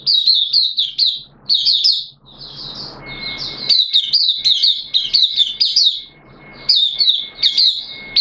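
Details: Singing caged Mata Puteh (oriental white-eye), 'buka sing' style, day two of monthly deworming, 13 September 2022: continuous high, rapid chirping and twittering phrases with short gaps, and a steady faint tone in the background.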